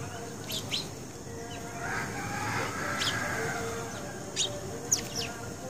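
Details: Garden house sparrow chirping: brief, bright descending notes at uneven intervals, some doubled, over a constant hum, with a soft drawn-out fowl-like call in the middle.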